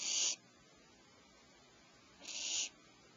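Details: Nest cavity of owlets at 04:47 PST, mother arriving with fresh prey: a short breathy hissing screech, a long pause, then a second similar rasping hiss.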